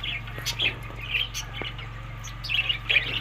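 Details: Budgerigars feeding on summer food, May to June, Larkana, Sindh: short scratchy chirps and warbles at the start and end, with clicking and tapping sounds and a steady low hum.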